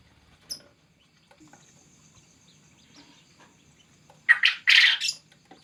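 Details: Male quail calling; after quiet with faint ticks, a loud harsh call of two short scratchy notes and a longer rasping note, with a faint steady high whine throughout.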